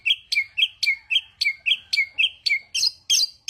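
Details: Bird singing in a lively, persistent way. Sharp, bright notes, each dropping quickly in pitch, repeated about four times a second in an even series. The last few notes grow harsher and louder.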